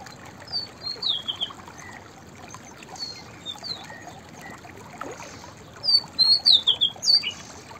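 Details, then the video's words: White-browed fantail singing: a few high, thin whistled notes early on, then a clearer phrase of rising and falling whistles near the end. Faint background hiss. "White Browed Fantail Singing Songs"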